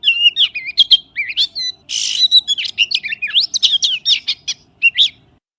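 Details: Oriental magpie-robin in fast, varied song: looping whistled notes and sharp chips with a brief harsh, scratchy burst in the middle, delivered almost without pause.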